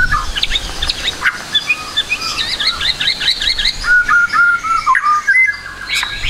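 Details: White-rumped shama song from a training recording of a trotol bird: tumbling varied phrases of rising and falling whistles, then a run of clear level whistled notes and a closing high rising flourish.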